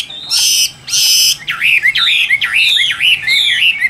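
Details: Caged Chinese hwamei singing: two loud harsh buzzy bursts, then a run of repeated swooping whistled notes that dip and rise again, about five in quick succession.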